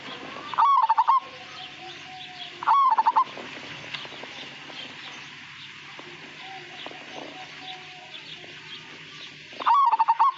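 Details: Zebra dove, Majapahit variety, known for melodious song without a "kung" ending, delivering three short trilled coo phrases at irregular intervals against a faint hum and light background murmur.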